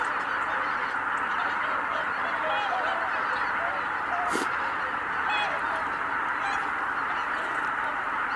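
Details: A flock of greater white-fronted geese departing together from Kabukuri-numa on 12 January 2019. Scattered nasal honks sit over a dense, even murmur of distant calling, with one brief sharp click.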